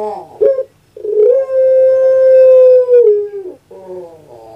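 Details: Puter pelung, a dove kept in captivity in Java, giving a stuttering rough note, a short break, then a prolonged smooth coo held level before sliding lower, followed by a softer gurgling tail.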